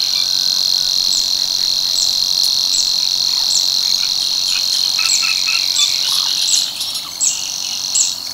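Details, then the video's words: At Tancat de l'Illa, l'Albufera, a male Savi's warbler delivers its monotonous strident reel, a continuous high buzz that dips in loudness near the end, while short high ticking notes from other birds dot the background. "BUSCARLA UNICOLOR en el Tancat de l'Illa"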